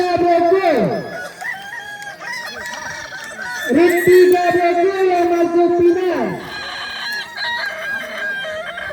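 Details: Crowing Balenggek roosters at a competition in Danau Bawah, Solok Regency, 6 October 2024: two prolonged level crows with falling slurred endings, separated by quieter background crowing and people talking.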